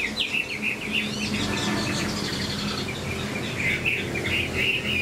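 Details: Captive Chinese Hwamei singing fast trilled, rippling phrases, repeated notes running quickly, over a steady background hum.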